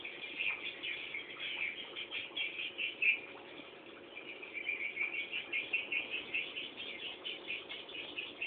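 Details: Nestling swiftlets awaiting a returning parent: a fairly quiet, continuous high twittering from many chicks, rising into denser bursts of chirps toward the end.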